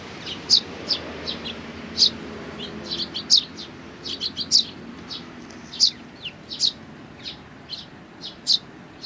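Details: Sparrows, parents together with chicks, on 17 May 2019, give a steady series of sharp, high tweets, single or in quick pairs, repeated about every half second to one second throughout.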